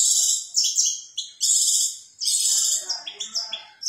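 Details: Long-tailed shrike singing 2020 contest material that imitates canary, lovebird and other songbirds: high, clear whistled strophes with quick pitch jumps, followed by a choppy run of short twittering notes.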